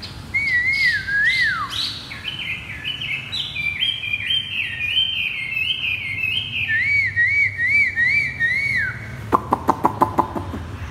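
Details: Caged Chinese hwamei singing the "thắt cổ chai" (bottleneck) style: clear whistled phrases, slurred and wavering, stepping between higher and lower pitches, ending in a burst of sharp rapid clicks.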